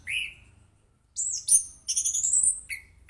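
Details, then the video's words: Melodious song of an orange-headed thrush: a single rising whistle, a pause, then a rapid bright burst of high, twittering notes ending in a short lower whistle. "Burung Anis Kembang Gacor, Suaranya Merdu"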